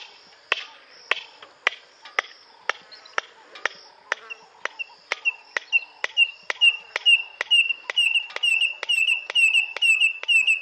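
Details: Red-crested korhaan in Kruger calling: sharp dry clicks about twice a second, gradually quickening and blending into rapid, high, piercing whistled notes repeated two to three times a second, against a quiet background.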